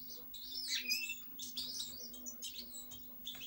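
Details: European goldfinch song: a dense, bright tangle of tinkling chirps, slurred whistles and buzzy twitters in quick succession, with a low hum beneath.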